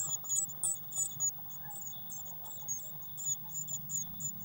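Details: Eurasian blue tits at a nest box on 19 May 2019, feeder filled with waxworms; soft, high chirps in short bursts, louder at the start and end, over a low hum.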